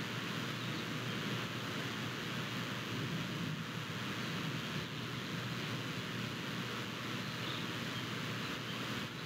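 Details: Continuous roar of wind buffeting the microphone and surf, an even outdoor wash of noise with no animal voices.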